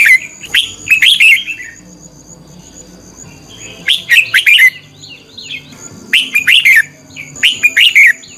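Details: Red-whiskered bulbul decoy bird singing competitively to stimulate other birds: three lively phrases of fast, rising and falling whistled notes, each under a second, separated by quiet stretches, with a steady high tone present.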